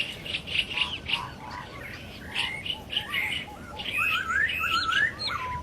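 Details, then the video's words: Wild masked laughingthrush: a busy chorus of bright chirps that ends in a run of loud rising and falling whistles, with other birds calling alongside. "Ocean Burung poksay Hongkong di Alam"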